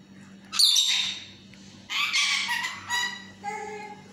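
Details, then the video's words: Yellow pet parrot in talking mood, a sharp screech followed by several harsh, voice-like phrases with tonal bands, indoor hum underneath. "Peeko is talking parrot || Peeko in his talking mood"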